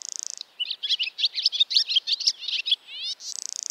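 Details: Barn swallow twittering in a rapid, chattering run of high chirps, framed at start and end by a dry buzzy rattle, with a quick rising buzzy sweep near the close.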